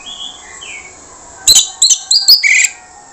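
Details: Orange-headed thrush with a rough voice sings, used as a lure song to prompt silent birds to respond: after faint thin whistles, a rapid run of five harsh, scratchy phrases mixed with high sweet notes, all within about a second.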